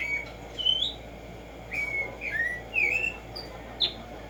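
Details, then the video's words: Black-striped sparrow (Tumba Yegua) whistling a string of separate slurred notes, some rising and some falling, spaced irregularly with short gaps, over a faint low hum. "HACER TRINAR a Tumba Yegua Audio para estimular el CANTO a estas bellas aves en la NATURALEZA"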